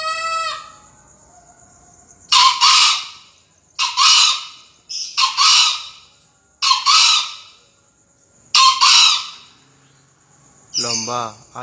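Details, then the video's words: Green junglefowl crowing in a 2020 crowing contest entry: five short, hoarse, raspy crows about one to two seconds apart, with brief tonal sounds at the start and end. "kokok ayam hutan hijau"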